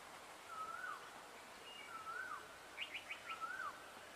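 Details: Indian grey hornbill calling in three drawn-out whistles that rise and then drop, spaced roughly a second and a half apart, with a quick burst of higher chirps from another bird between the last two.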